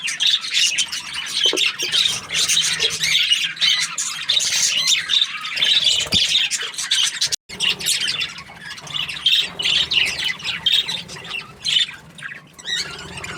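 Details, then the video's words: Happy budgerigar keeps up lively, scratchy chatter of high chirps and squawky notes, broken by a sudden brief silence just past seven seconds before the twittering resumes. "Happy Budgie chirping sounds"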